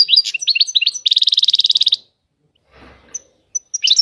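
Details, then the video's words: European goldfinch singing high, tinkling notes that run into a fast, evenly repeated buzzy trill about a second long. A short silence with a soft rustle follows before the twittering starts again. "طائر الحسون. اجمل الطيور المغردة Goldfinch. The most beautiful songbirds"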